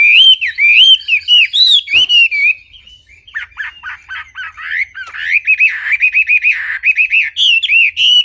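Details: Wambi bird delivering a clear song: bouncing whistled notes, a short pause with softer twitters, then a renewed rapid series of rising and falling whistles.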